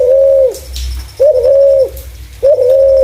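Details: Spotted dove with a clear voice used as a lure for other doves, giving three long, steady, level coos, each slightly over half a second and about every 1.2 seconds, over a low hum.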